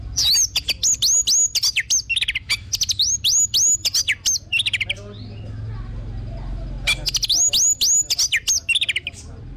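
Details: Orange-headed thrush lure song: rapid series of clear whistled notes, each sliding upward then dropping, repeated in tight bursts about four per second, with a quiet pause midway before the phrase resumes.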